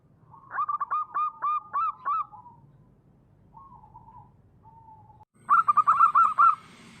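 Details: Wild local zebra dove giving a vigorous song: a rolling, stuttering run of rapid cooing notes, two soft drawn-out coos, then another bright bubbling trill, with a faint low background hum.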